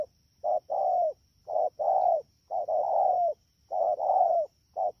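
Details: Wild-caught spotted dove recorded at Dak To on 3/10/2019, cooing at a fast pace: paired notes, a brief low coo followed by a longer, slightly falling coo, repeated steadily about once a second, over a faint steady high hum.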